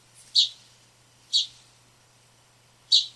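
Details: Backyard house sparrow calling: three single, clipped chirps about a second apart, each sharp at the onset and quickly fading, with a faint low hum underneath.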